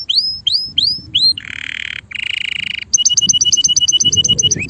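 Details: Male canary singing: rising upswept whistles repeated about four times, then buzzy harsh rolls around mid-pitch, followed by a fast run of sharp high notes repeated many times per second.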